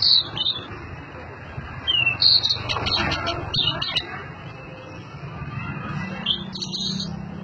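Blue-and-white flycatcher singing high, thin whistled phrases in short bursts, with a steady insect-like hiss and low rumble underneath.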